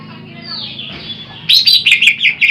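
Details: Greater green leafbird song for luring birds: a soft descending whistle, then a burst of loud, sharp, rapidly repeated chirps and twittered notes.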